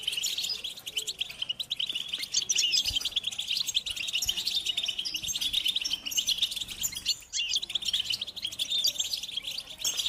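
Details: Group twittering of European goldfinches, calls used to excite males into song: a dense, unbroken wash of thin, high chirps and trills from many birds, steady throughout with a few faint low knocks.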